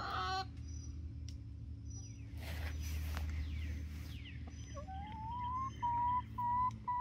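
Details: Flock of 19-week-old Barred Rock and Gold Star chickens in Grimes County, Texas, near Iola. Late in the clip, short rising tonal notes settle into steady repeated calls over a constant low rumble, after a burst of scratchy noise.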